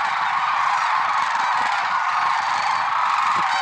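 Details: Brief stretch of an early-morning lesser sandhill crane flock at Merced National Wildlife Refuge, February 6, 2023: dense overlapping trumpeting and rattling calls, constant and unbroken.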